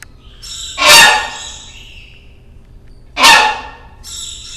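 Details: Hornbill at the National Aviary in Pittsburgh, Pennsylvania, USA, recorded in 2012, giving two loud, harsh honks about two seconds apart, each a broad blaring burst, with thin high whistles from other aviary birds in the background.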